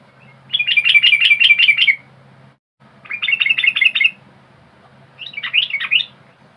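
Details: Yellow-vented bulbul song used as a lure, with rapid trilled phrases of bright, repeated chirps lasting over a second, then a shorter twisting, warbling burst after a pause, over a faint low hum.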